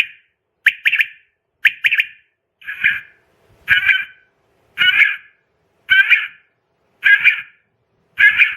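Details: Night call of a quail used as a hunting lure. Three-note phrases repeat roughly every second, and the later phrases turn harsher and more smeared. No other sounds intrude.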